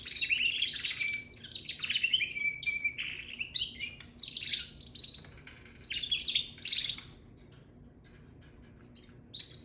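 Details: Juvenile canary warbling: fast high chirps, buzzy trills and a drawn-out whistled note in dense phrases, then a quieter pause before a last short burst of song.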